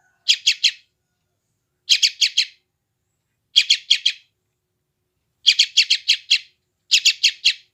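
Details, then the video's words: Sooty-headed bulbul chick from West Java giving rasping three- to five-note chirp clusters at irregular intervals of one to two seconds, silent between them; phone recording used to tame newly caught wild birds. "SUARA BURUNG ANAK TRUCUKAN GACOR"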